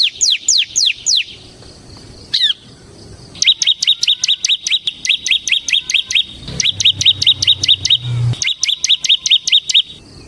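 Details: Bar-winged prinia of the ciblek semi type delivering nonstop 'ngebren' song: an opening burst of falling whistles, then long trains of rapid, shrill, clipped notes repeated several per second with only brief breaks.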